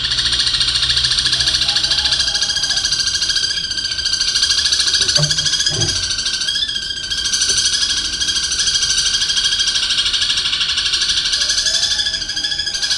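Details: Caged long-tailed shrike singing a mimicry medley that includes kingfisher, fighting-sparrow and long lovebird chatter; this stretch is one unbroken, fast, buzzy high rattle that wavers slightly in pitch throughout, with faint low thumps midway.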